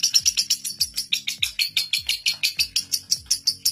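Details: Caged lovebird singing its long ngekek trill, a record holder at seven minutes non-stop, used to coax young birds into long ngekek; rapid shrill chattering pulses run steadily throughout over faint low background hum and drops.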